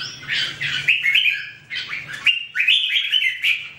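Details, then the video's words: Red-whiskered bulbul song: two bursts of quick, clear whistled notes rising and falling, each bubbly phrase of three or four notes separated by a brief pause. A low background hum is also present. "The Sound Of The Birds Singing Wonderful: Birds Red-whiskered bulbul"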